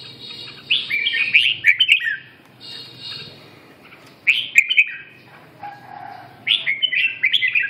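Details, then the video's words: Red-whiskered bulbul singing three clusters of sharp, tumbling chirps, each cluster lasting about a second, with quieter gaps between them. "Kênh về chim Chào mào"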